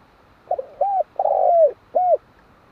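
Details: One spotted dove phrase. Two short hollow coos lead into a drawn-out, slightly trilled coo that falls in pitch, then a rounded closing note, over faint background hiss.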